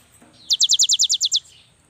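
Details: Young cinereous tit song meant to coax quiet birds to sing: one crisp run of nine high, down-slurred whistled notes at an even quick pace.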